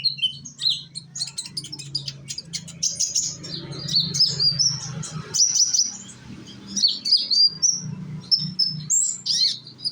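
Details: Indonesian konin, a young sunbird, used as a singing lure for other konin; scattered high squeaky chirps and short whistled flourishes over a steady low droning hum.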